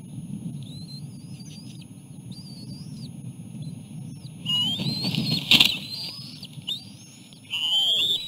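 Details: Osprey at the nest as the male brings a small fish and feeds the chicks; thin whistled notes at first, then louder sharp piping calls near the end over a low steady rumble.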